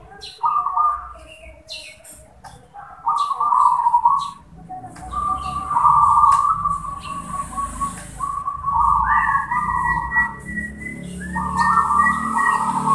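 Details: Zebra dove cooing: a series of low, burry rolling coos repeated in short phrases, with background noise and people's voices present.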